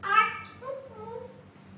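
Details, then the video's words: Talking African grey parrot, a pet female nearly two years old: one short, voice-like phrase with a bright opening and a softer, wavering tail, over a faint low hum. "the talking African Grey parrot"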